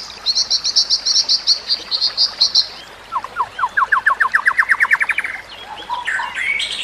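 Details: Training song of a white-rumped shama: a bright, high rapid trill of about two seconds, then a long, lower series of evenly spaced notes that climb steadily in pitch, ending in a few varied whistles.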